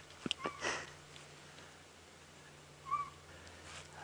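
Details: On a July afternoon safari drive at Djuma Game Reserve, a Southern Boubou gives a clear, plaintive whistled note, then a second about two and a half seconds later, over a running vehicle engine's low hum and soft clicks.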